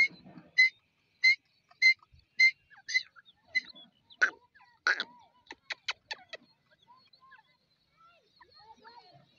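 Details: Grey francolin, known locally as dakni teetar, giving a series of short sharp double notes repeated about every half second, then a few louder harsher notes and quick high clicks, with soft background rustling.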